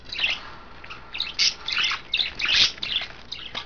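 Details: Budgerigars kept as pets, females taking baths in vegetables and a water dish, recorded 9 February 2012: quick run of rough, buzzy chirps and squeaky squawks, about three per second, with irregular timing.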